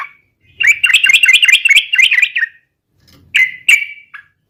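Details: Yellow-vented bulbul singing in the 'garuda' style as a lure to make other bulbuls sing. A fast bubbly phrase of slurred notes runs about two seconds, followed by a few separate loud chirps.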